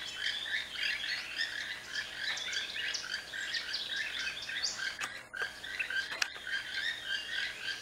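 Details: A group of five or more toucans in a fig tree in a Western Belize jungle, showing courtship movements, call to each other with dry, croaking notes that sound remarkably like a chorus of frogs.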